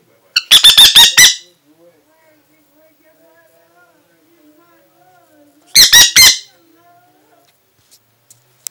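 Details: Aratinga parrot, described as angry, calling indoors: a burst of four or five grating, harsh squawks, a long quiet pause with faint background voices, then another rapid burst of three rasping screeches.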